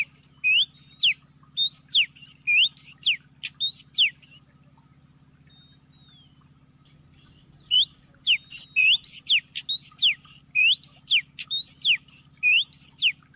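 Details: Oriental magpie-robin lure song used for trapping in an oil palm plantation: bright whistled notes sweeping down and up, fast and varied in quick bursts, with a silent pause mid-way and a steady high hum behind.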